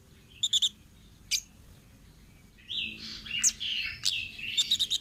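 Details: Orange-headed thrush, a wild bird, song used as a training lure: a few sharp high chips, a pause, then a warbled phrase of slurred whistles and rapid high ticking notes.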